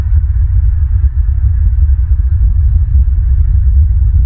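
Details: A constant deep hum and throbbing rumble fill the recording, with no calls or other animal sounds.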